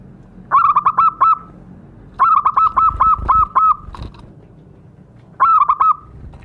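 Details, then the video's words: Zebra dove (perkutut) sound used as a lure to provoke captive birds into calling: three bursts of quick, throaty cooing notes on a steady mid pitch, each phrase a rapid stutter of about five to eight notes, with short pauses between. "Pancingan suara perkutut"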